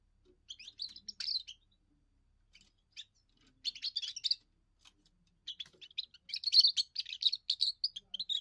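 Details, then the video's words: Young European goldfinch's first song, a territorial and mate-attracting display: several twittering phrases with pauses, building into a longer, denser run of bright, rapid chattering notes at the end. "first song of a young goldfinch amazing wonderful singing"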